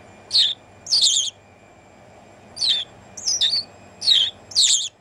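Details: House sparrow on a person's shoulder in the Netherlands, 1 January 2016, delivering pairs and singles of strong high chirps with a brief pause midway, some notes doubled and slightly trilled.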